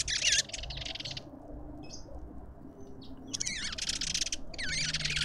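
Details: Lovebirds at a garden feeder in suburban Pretoria, South Africa: loud, harsh, buzzy chattering bursts at the start and end, a quiet gap in the middle, steady low rumble behind.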